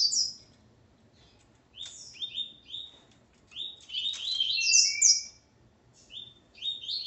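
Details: Male double-collared seedeater, known as coleiro, accompanied by a female, sings fast strings of sharp, high twittering notes with sweeping downslurs and a few drawn-out whistles, in phrases broken by brief silences; quiet low hum underneath.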